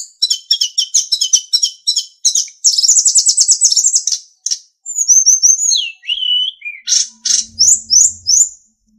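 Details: Sulingan song used as a master recording for training captive songbirds: a fast run of high chirps, a dense buzzy trill, then clear whistled slides dropping in pitch and a series of sharp rising notes.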